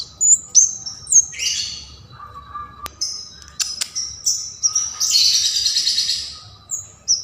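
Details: Bar-winged prinia in lively song, used as a tutor for songbirds: high thin whistles and short rising slurs, a couple of sharp clicks, then a long rasping buzzy trill before a few final whistles.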